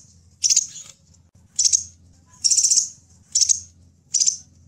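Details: Crimson sunbird, locally called kolibri delima or sepah raja, calling in a recording used as a lure and tutor for wild birds: five short, very high, sizzling chirp bursts spaced about a second apart, with a faint low hum beneath.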